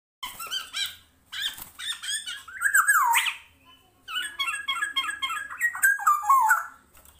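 A black-naped oriole gives bursts of squeaky, slurred whistles with falling notes, several phrases separated by short pauses, in a quiet indoor setting.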